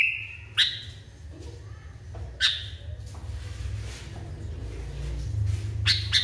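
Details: Sooty-headed bulbul, said to be wildly agitated, calling sharp downslurred chirps a couple of seconds apart over a loud, noisy, rumbling background.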